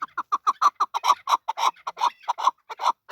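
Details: Male chukar partridge giving steady, rapid chuk-chuk notes, each short and mid-pitched, about five per second without a break.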